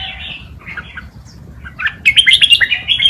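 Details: Red-whiskered bulbul forest-style tutor song for teaching young birds: soft warbling at first, then a sudden loud run of sharp, fast repeated chirps and whistles near the end.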